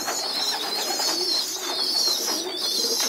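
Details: Pigeon young on the floor during group feeding in a loft make a constant squeaky, wavering whine, pulsing roughly once a second, with faint low murmurs.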